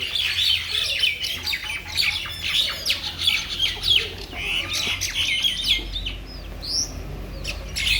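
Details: Mynas in Bangladesh giving a dense, continuous chatter of harsh, overlapping chirps and squeaky notes, several birds calling at once, with a faint low hum underneath throughout.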